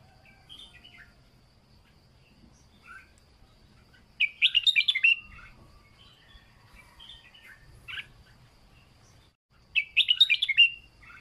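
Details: Red-whiskered bulbul in "rising-end" training song style gives two loud, bubbly, warbled phrases about five seconds apart, with softer short chirps between them.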